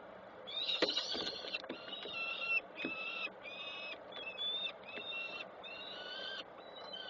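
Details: Peregrine falcons at a nest in Koszalin, Poland, on 7 June 2024, with adults arriving and leaving. Harsh, harmonic, drawn-out calls come in a run of bursts about half a second long, with short gaps between them, over a steady background hum.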